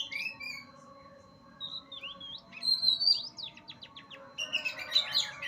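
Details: Oriental magpie-robin singing high, sharp slurred whistles and quick descending chirps in short bursts with gaps between them, over a faint low background hum.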